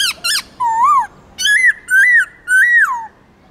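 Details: Multi-voiced song of a black-throated laughingthrush, played to stimulate and train caged birds: two quick high notes, a rising-falling whistle, then three loud arched whistles repeated about every half second, indoors and clean.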